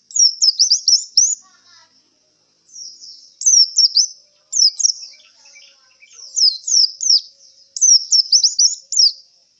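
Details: Tired contest white-eye after a singing competition, singing bursts of thin, high zigzagging whistles, each burst of three to five quick notes, with short quiet gaps between phrases.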